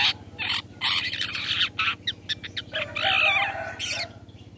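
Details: Long-tailed shrike 'toet toet' call used to lure other shrikes into replying: dense run of harsh, grating chatter in quick broken bursts, with a brief drop and then a longer rasping phrase, over a constant low electrical hum.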